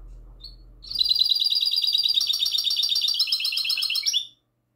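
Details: Goldfinch hybrid singing in classic style, recorded on the night of 22 March 2020: a dense, fast run of high, bright twittering trills and chirps that continues for about three seconds, then stops abruptly.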